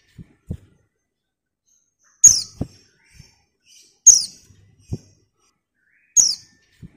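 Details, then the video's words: Female white-eye calling to a male with three brief, piercing high chirps spaced about two seconds apart, each sliding steeply downward, and faint low thumps between them in a quiet setting. "TERIAKAN PLECI BETINA MEMANGGIL JANTAN"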